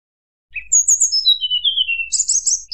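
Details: White-browed shortwing in flute-like song meant to provoke rivals: after half a second of silence, a brief low note, then a chain of clear whistles sliding steadily downward, ending in buzzy high trills.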